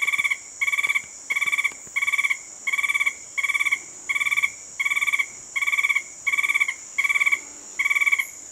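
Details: An Alto Pisones Tapaculo (Scytalopus alvarezlopezi) in Parque Nacional Natural Tatamá, Colombia, sings a long, even series of short, rich notes, about one and a half a second, over a steady high insect hum.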